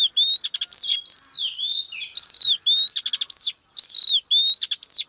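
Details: Female Oriental magpie-robin singing to draw a male into song: clear whistled notes, rising and falling, alternating with rapid buzzy ticking bursts and sharp upswept squeaks in steady phrases, with no other sounds.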